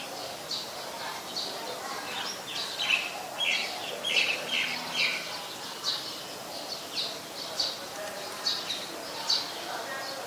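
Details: Olive-backed Sunbird (Yellow-bellied Sunbird), Cinnyris jugularis, recorded at a home on 25 March 2021 at 4:45 PM: a run of short, high, sharp chips and twittery notes, irregular and about one per second, over a soft background hiss.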